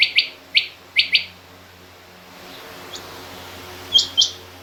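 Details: Female rain quail in a mixed recording with king quail: three lower paired chirps, a pause with faint noise and one soft high note, then a final higher doubled chirp.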